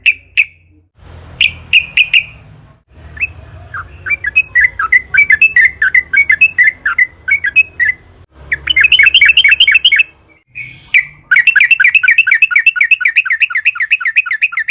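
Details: Sooty-headed bulbul in lively wild-style song with long rolls, used to lure and stir other bulbuls to sing: varied chattering, warbled phrases building into a long, fast, rolling trill of bright notes, with a faint low hum early on.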